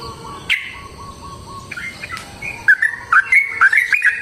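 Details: Yellow-vented bulbul fighting song, used to lure other bulbuls into song: a soft low repeated note and scattered calls at first, then a lively string of warbled, slurred whistles rising in strength toward the end.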